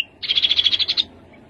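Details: Rufous-capped babbler giving a rapid, even trill of about eleven high, clear pulses lasting under a second after a brief sharp click.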